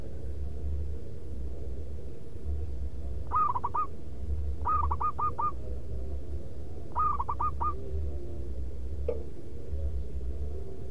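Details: Zebra dove lure song, loud and rhythmic in manggung style. Three evenly spaced phrases, each a quick run of five clear, bubbling coo notes, sound over a constant low hum.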